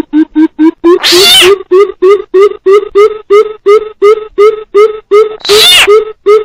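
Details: Coucal calling as a trapping lure, together with frog calls: a steady series of deep hoots, roughly three per second, with two loud, broadband rasping bursts cutting in.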